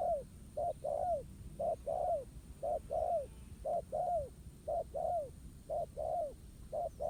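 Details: Spotted dove, a wild bird, answering a ground decoy in a trap as they duel: evenly spaced low coos, a clipped note followed by a longer falling one, pairs recurring roughly every second over faint outdoor noise.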